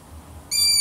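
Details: A long-eared owl's sharp, sustained high whistle that starts abruptly after a quiet half second and stays level to the end, over a soft hiss.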